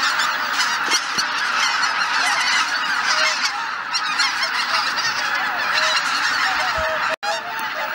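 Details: Geese gathering at Shishibana on Izunuma, Japan, on a cloudy morning, later leaving in four or five groups after six o'clock. Loud, busy honking with distinct nearby calls over a thick flock chorus, and a brief dropout near seven seconds.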